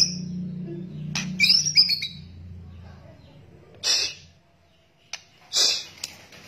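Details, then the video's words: White-rumped shama, male and female, lure calls in the rattling kretekan style: a few harsh, scratchy, broadband bursts spaced irregularly over several seconds, with one brief high thin note, over faint low background murmur. "SUARA PIKAT KRETEKAN MURAI BATU , TROTOL , JANTAN , BETINA GACOR"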